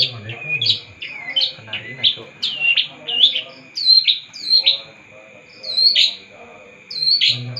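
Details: Long-tailed shrike in vigorous, lively song: a run of sharp, whistled notes that swoop up and down, given in quick bursts roughly every half second with short gaps between phrases, and a faint low hum beneath.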